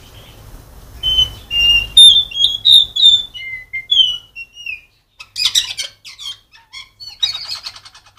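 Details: Blue whistling thrush giving a rapid run of clear, high whistled notes that slide down in pitch, then harsh, scratchy bursts, over a faint low hum.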